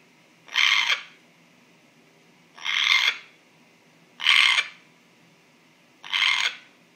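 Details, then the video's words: Pet African grey parrot kept at home, making an unusual noise its owners cannot explain: four harsh, breathy, croaking bursts about half a second long, repeated roughly every one and a half seconds over a faint steady hum. "Floyd The African Grey (Making Strange Noise)"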